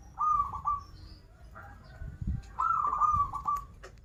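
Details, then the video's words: Local Banten zebra dove in full song with 'krital' and 'warung kebek' styles: a quick stuttering trilled coo, a softer note, then a longer ringing rolled phrase, with light clicks and background rumble. "Perkutut lokal gacoran suara krital, warung kebek, dan suara aneh"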